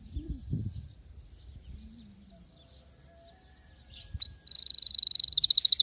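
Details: Canary song opening after a quiet stretch with faint low murmurs: a few sharp upward-sweeping notes, then a fast, dense, high-pitched trill of rapidly pulsed notes running to the end.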